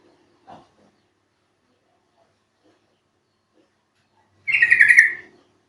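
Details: Yellow-vented bulbul (trucuk), recorded for playing to other trucuk birds to make them sing; after a faint note and near silence, one loud bubbly chattering burst of rapid notes lasts under a second.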